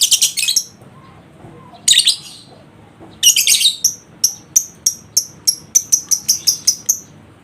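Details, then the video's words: Lovebird ngekek singing meant to provoke a reluctant bird: harsh chattering bursts at first, followed by a quickening train of about a dozen sharp high chirps. "Atasi Lovebird Males Bunyi Dengan Pancingan Ini Pasti Respon Di Jamin Ngekek"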